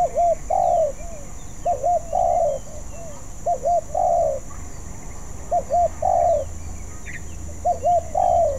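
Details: Spotted dove in training, a young bird whose song is still unpolished, giving soft coo phrases roughly every one and a half seconds: a pair of quick hooting notes then a drawn-out rolling coo, over low hum and distant twitters.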